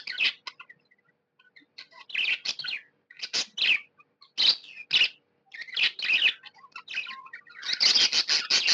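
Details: Happy pet budgerigar chattering in a varied warble, mixing scratchy buzzes, short clicks and squeaky notes in irregular bursts, ending in a dense, louder rush of harsh chirps.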